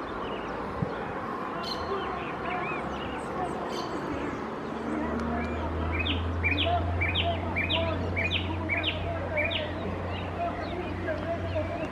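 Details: A male Vermilion flycatcher (Pyrocephalus rubinus), recorded 15 September 2018, gives a quick series of about eight rising, chirpy notes, roughly two per second, over a steady low hum and faint calls from other birds.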